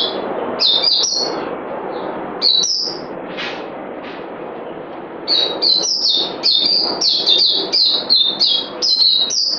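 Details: A bird sings loud, bright whistled notes sliding down in quick runs, pausing and restarting, then a long rapid rattling series near the end, over a steady murmur of background noise.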